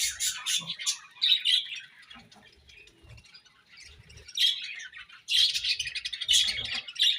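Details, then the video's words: Budgerigars chirping in bursts of dense, high warbling chatter with squeaky notes, separated by quieter gaps around two to four seconds and near five seconds; faint low thumps beneath. "Beautiful Budgies Non Stop Chirping Sounds"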